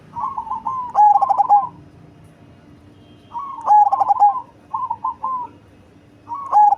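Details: Big-bodied cemani zebra dove with a deep voice; stuttered coo phrases ending in held tones, mixed with softer slurred cooing notes, recurring about every two to three seconds.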